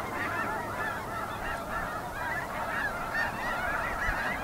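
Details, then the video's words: Snow geese in a large flock, countless overlapping nasal honks and yelps forming a continuous, wavering chorus with no pause, individual calls barely separable. "雪雁/Snow Geese"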